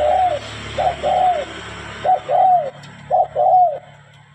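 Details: Spotted dove, tame and singing freely, repeats a soft short note and then a longer falling coo, four times in quick succession over a steady low hum of background noise.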